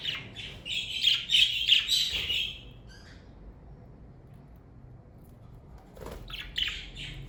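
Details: Pet budgerigars in a parakeet family give a rapid, rattling run of buzzy chirps and squeaks for about two seconds. Near silence follows, then a short scratchy burst and a few faint chirps.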